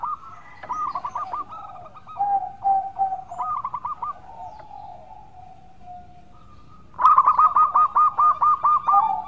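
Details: Melodious local zebra dove in full song, used as a lure recording: soft rolling coo phrases and drawn-out tones, then a loud, clear series of about nine evenly spaced pulsed coos.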